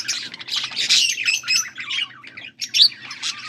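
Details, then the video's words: Budgerigar chatter from August 14, 2024: loud squawky, grating warbles and chirps in a busy stream, a short gap near the middle, then more scratchy calls, over a low hum. "Budgies sounds for lonely birds birds chirping sounds"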